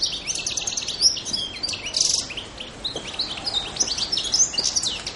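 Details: European goldfinch song recorded on Pantelleria in January 2011: rapid liquid twitters and chirps mixed with a brief buzzy burst, bright high notes tumbling together almost without pause.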